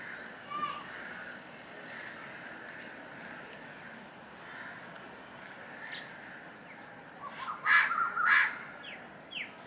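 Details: An Indian golden oriole (Oriolus kundoo) at Kalwa, Thane, Maharashtra, India, gives a faint short whistle, then two or three harsh, nasal calls close together near the end, over a steady hiss.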